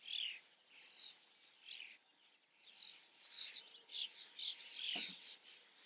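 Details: Starlings before a camera give a lively mix of slurred whistles, grating notes and chirps in uneven bursts, with a soft thump about five seconds in.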